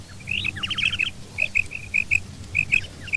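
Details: Quail, female and male calling together, a hunting call recording: bright paired and single chirping notes repeated irregularly, with a brief fast rattling series early on, over a low background hum.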